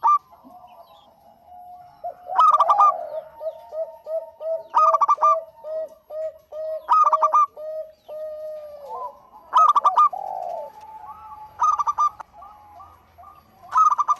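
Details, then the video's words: Zebra dove, a local bird, singing as a lure: loud rolling coo phrases recur about every two to three seconds, with a steady series of softer, lower repeated coos filling the gaps. "Suara Burung PERKUTUT LOKAL GACOR Untuk Pancingan"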